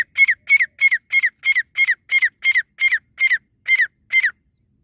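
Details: Partridge call used as a lure for trapping partridges: a steady series of sharp, raspy two-part notes, about three per second, with each note falling slightly at its end. The background is clean and silent.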